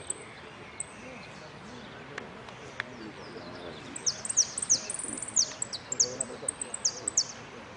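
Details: A yellow saffron finch competing at a singing contest in Merlo on 3 December 2017 gives sparse, high, thin chirps. Then comes a quick run of sharp, bright notes against faint background noise.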